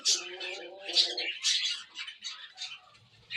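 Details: Cockatiels calling in a busy chorus of scratchy, high chirps and squawks, closely overlapping, with a faint low nasal tone at the start.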